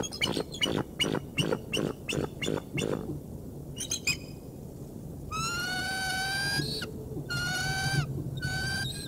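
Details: Bald eagle at the Decorah North nest, 3 March 2019, arriving with prey: sharp rhythmic tapping or clicking for the first three seconds, then two drawn-out, high whistled squeals with a slight upward slide.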